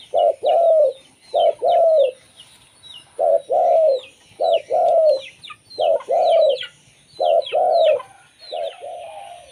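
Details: Zebra dove of local stock singing, a sound used to attract other zebra doves; paired coos, a brief note then a longer slurred one, repeated steadily amid high twittering from smaller birds.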